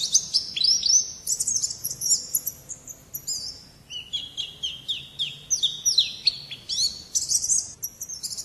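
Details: Champion-type pet white-eye singing long, busy phrases of very high, sharply slurred whistles and chirps, descending runs alternating with rapid rising notes, nearly continuous over eight seconds.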